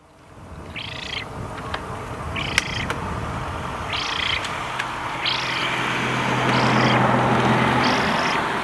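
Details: A young Eurasian spoonbill begs for food at Bislicher Insel on 12 September 2021 at 15:35, recorded with a camera. It gives about six short, wheezy, buzzy begging calls roughly every second, over steady loud rumbling background noise.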